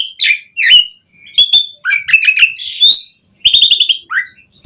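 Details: Asian pied starling singing a rich, full song meant as a lure for other starlings: squeaky slurred whistles, gurgling chatter and a rapid rattling burst, followed by a brief falling whistle, loud and clear.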